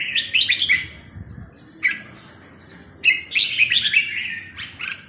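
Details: Bright, chirping phrases of red-whiskered bulbul song in the sai nap dok style: a busy warbled burst, a single clipped note near two seconds, then a longer jumbled whistling run.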